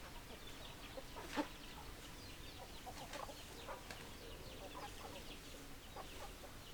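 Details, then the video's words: Chickens, hens and roosters, giving short, scattered clucks with one louder, sharper cluck near the start, over a steady hiss of background noise. "Chicken Sounds Noises Hens Clucking Roosters Crowing"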